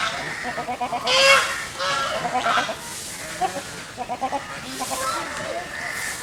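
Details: A group of geese swimming in a pond keeps up a noisy exchange of harsh, braying honks and rapid stuttering notes, rising in loudness around the middle before easing off.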